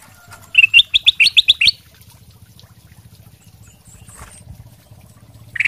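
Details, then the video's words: Ruby-throated bulbul, kutilang emas sutra, singing vigorously as a lure for other birds to respond: a fast series of about seven clear, upward-sweeping whistles, quiet background, another note starting at the end. "kutilang emas sutra gacor buat pancingan langsung nyaut"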